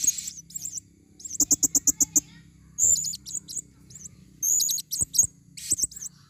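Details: Female blue-crowned hanging parrot used to lure in the forest: high wavering squeaks, then a rapid, evenly spaced series of about eight sharp notes, then further bursts of shrill chatter.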